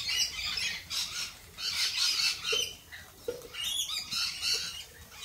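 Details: Shrill lorikeet squawks in uneven bursts, about thirty a minute, harsh and high, with a few low knocks heard beneath the calls.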